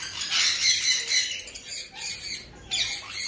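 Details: A blue male Indian ringneck parakeet guarding his nest box gives harsh, loud squawks in bursts about twice a second, with a brief pause before a final burst.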